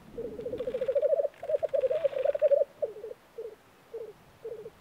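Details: Black grouse displaying at a spring lek in Norway: a long run of low rapid bubbling notes rising in loudness, then broken phrases and short spaced bursts, with faint rustling and background noise.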